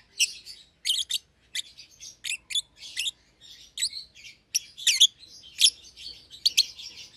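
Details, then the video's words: Pair of young caged lovebirds, one euwing green opaline and one red-eyed albino, seen close together and feeding each other; lively, shrill chirps pour out in a busy, uneven stream. "Lovebird Chirping Sounds"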